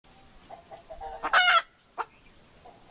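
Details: Hen calling: soft low clucks in the first second, then a loud harsh squawk around 1.3 seconds, followed by two shorter sharp notes; quiet pauses between calls.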